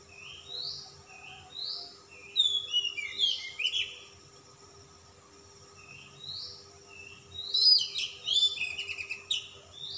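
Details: Oriental magpie-robin, a calm-type bird singing insistently while puffing up in display with rich varied song content: short rising whistles repeated about every second, then bursts of tumbling, chattering high notes; steady electrical hum beneath.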